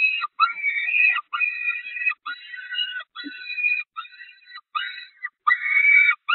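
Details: Peregrine falcon nestlings in May 2021 at a church nest, hungry and attacking the female until she flees; choppy series of shrill wailing screams in short segments, roughly one per second, of varying loudness.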